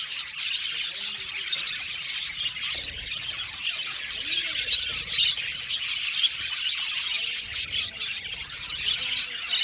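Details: Many budgerigars chattering in an aviary, a constant layered twittering of quick high chirps and squeaks, with a few faint lower sounds underneath.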